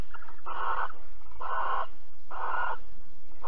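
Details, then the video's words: Barn owls at Alphen, 22 April 2020, during mating and cuddling: loud rasping hisses repeated about once a second, four in quick succession, with a steady low hum beneath. "Kerkuil Alphen 2020 04 22 Paring en Kroelen"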